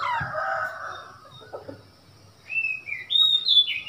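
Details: Oriental magpie-robin in Thailand, a wild bird come to a cage, 15 February 2021: a harsh descending buzzy note, a pause, then a bright string of high whistled phrases rising and falling.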